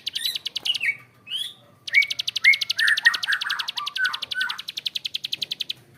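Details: Bar-winged prinia, known locally as prenjak klik, in a long harsh 'ngebren' rattle: a fast train of dry clicks, preceded and overlaid by short downslurred whistled notes from another bird.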